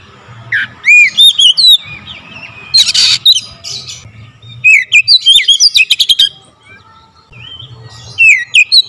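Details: Oriental magpie-robin in full rapid song with varied fill-in phrases: bursts of sharp whistled slurs and buzzy rattling notes, separated by short pauses, with a faint low hum beneath.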